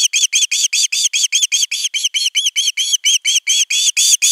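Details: Osprey chick at nest 3, 10 August 2021, pleading for fish on the nest camera: loud, somewhat uneven chirps, about two and a half per second, some rising into harsher, squawk-like notes.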